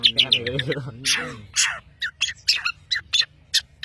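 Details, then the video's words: Long-tailed shrike from Madura singing hard: a fast warbled opening gives way to spaced, sharp, high chirps and short buzzy notes about every third of a second. "CENDET Pentet MADURA GACOR"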